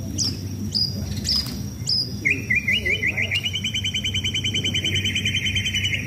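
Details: White-rumped shama kept caged and sunbathed for contest fitness, giving high sharp notes, then a fast trilling, buzzy rattle of repeated notes held for several seconds.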